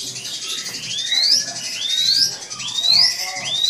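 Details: Drongo provoked by a rival, giving four drawn-out rising whistles about a second apart, each climbing steeply at the end, against steady background hiss and soft low thuds.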